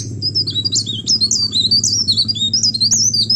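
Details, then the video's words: Mountain leaf warbler song, a small-bird twitter in the 'receh' style, meant to lure other birds. Quick, thin, high warbled phrases run in a continuous jumble over a steady low hum. "Cikrak DAUN Receh Pancing Bunyi Burung Lain"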